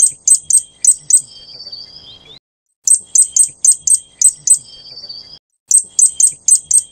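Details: Fire-breasted Flowerpecker (Dicaeum ignipectum formosum), Taiwan endemic subspecies, gives high, sharp ticking notes in quick bursts of four to six, with brief thin trills between the bursts.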